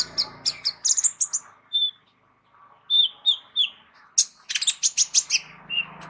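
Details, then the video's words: Kolibri ninja (sunbird) with a rich, full repertoire, used as a vocal tutor for other songbirds: quick high chirps and short whistled notes in bursts, a pause, then more sharp rapid notes, with a faint low hum. "KOLIBRI NINJA MEWAH ISIAN LENGKAP COCOK JADI GURU VOKAL UNTUK BURUNG JAGOAN KALIAN"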